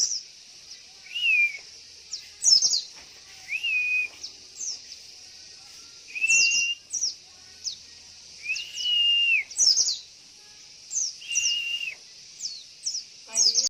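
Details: Lure recording of a female Javan white-eye calling to draw males into song: repeated arched and level whistled notes every couple of seconds, interleaved with sharp high chirps and twitters, a continuous high-pitched hiss beneath.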